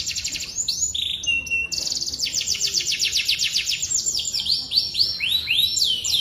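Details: Singing canary with an ornate, varied style, moving through quick changes: a high trill, short flat whistled notes, then a long fast rattle of sweeping notes and looping downslurred phrases.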